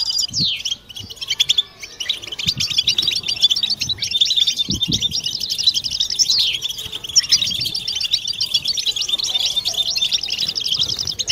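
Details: European goldfinch group twittering, a collective chorus meant to cure silence and stimulate mating song. Opens with sweeping downslurred notes, then dense rattling trills and tinkling twitters run without pause, with a few soft low knocks.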